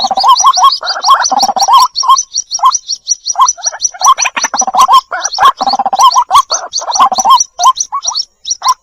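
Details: White-breasted waterhen chicks calling their mother, recorded for luring birds: a continuous chorus of rapid high ticking notes over lower nasal, bubbling calls repeated several times a second, with brief gaps near the end.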